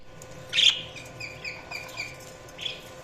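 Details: Budgerigars giving a few short, high chirps, one louder rising note near the start and a softer one at the end, with faint chatter between over a steady low hum.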